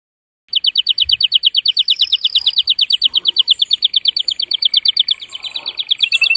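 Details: Male canary delivering an excited breeding-stimulation song: a long, very regular rapid trill of sharp repeated notes, roughly three per second, with faint room noise and soft low thumps underneath.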